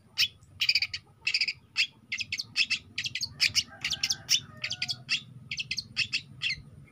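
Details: Young long-tailed shrike in vigorous song, pouring out dense, scratchy chattering notes in fast clusters, with a softer warbling strand midway and a low background rumble.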